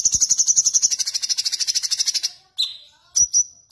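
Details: Sooty-headed bulbul, one of several birds with differing song material, singing a sharp rolling trill (ngerol) of fast repeated high notes for about two seconds, then a short falling whistle and two brief sharp whistled shots.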